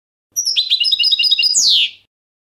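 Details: European goldfinch singing a short phrase of quick tinkling chirps and twitters, closing with a loud downward-sweeping nasal call.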